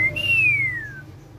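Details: Tame female black-naped oriole giving a single loud, pure whistle that steps up, then glides slowly downward over about a second, above a low background hum.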